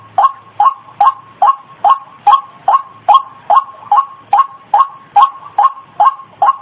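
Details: White-breasted waterhen lure call used to attract birds: a clipped, rising note repeated steadily about every half second, very regular and monotonous, with nothing else audible.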